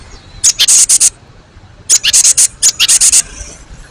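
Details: Harsh, ticking churr of a cinereous tit in quick pulsed bursts, three groups within a few seconds, from a recording used to make young and old birds reply.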